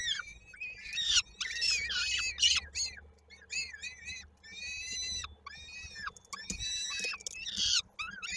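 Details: Peregrine falcons feeding at a nest in Koszalin, Poland, 16 May 2022, a chick's foot stuck in a beak: rapid run of squealing, arched wails and chattering cries, with a faint low hum beneath.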